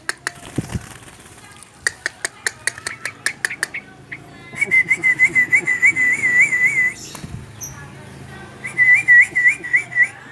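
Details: Very tame yellow-vented bulbul able to mimic other birds. Sharp clicking notes repeat rapidly at first, then warbling, rapidly wavering whistled trills come in two bursts, with a low background hum.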